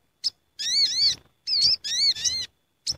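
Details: Sooty-headed bulbul (sogok ontong) flock gathering, used as a lure recording: clear whistled notes with wavering, slurred harmonics in bursts of about half a second, separated by short gaps and single sharp chips.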